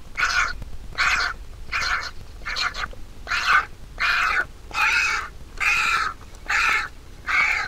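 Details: Vulture chick in the nest, fed by the mother bird: a steady run of rasping, scratchy squawks, about ten in under eight seconds, some longer and louder toward the end.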